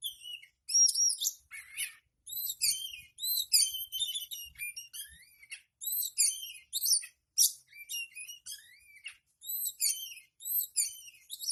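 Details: Oriental magpie-robin singing, recorded as tail-opening therapy for kept birds: a long, continuous run of loud, varied whistles, sharp chirps and rising slurred notes, delivered in rapid phrases with short gaps, in a quiet, small indoor space.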